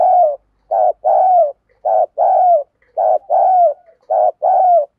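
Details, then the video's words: Decoy spotted dove cooing in a set pattern to excite and lure wild doves: five paired notes, a short low coo then a longer falling one, about one pair per second, in a quiet setting. "Chim Cu Mồi Thúc Gù Bài Bản Sung Chuẩn Kích Bổi"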